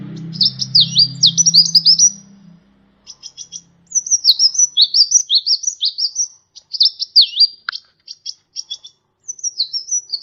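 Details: Tutor recording of a kolibri ninja sunbird for training birds: bursts of quick, thin, high twitters and dipping whistles, about three notes a second, with a low rumbling hum at the start.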